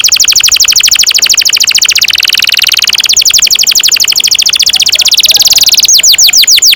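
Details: Canary delivering a long unbroken roll to tutor young canaries: very rapid high repeated notes with a buzzy section in the middle, ending in a few slower curved whistles.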